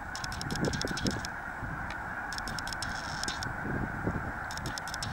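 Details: Snow geese at Merrill Creek Reservoir, heard as a softer, more distant flock: a constant low babble of overlapping honks without standout individual calls, and intermittent high clicking sounds.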